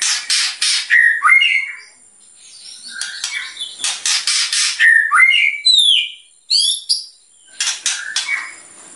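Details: Actively singing white-rumped shama delivering provocative song bursts: harsh buzzy notes mixed with short upslurred whistles and chattering phrases, repeated in uneven clusters.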